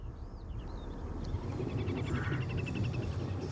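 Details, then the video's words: Little grebes at a birding site near Munich give a fast, high trill of rapidly repeated notes, with a few thin whistles at the start over a low rumble of wind or distant traffic. "Das was man jetzt hört, das waren die Zwergtaucher."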